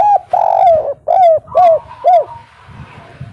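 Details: Spotted dove of the local 'kuk 3' type, used as a lure to make birds call back: a drawn-out coo then three rounded, falling notes in quick succession, with a faint high whistle behind.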